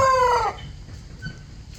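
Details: A pet rooster crowing as a morning wake-up call; the crow ends in a loud, harmonic, drawn-out note that drops slightly in pitch, then quiet background follows.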